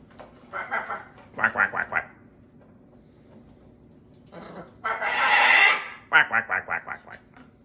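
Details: Macaw flock at a parrot rescue during kitchen playtime in a new environment: rasping squawks in quick runs of three or four, a long, loud, harsh screech, then a rapid burst of six short squawks in a small indoor room.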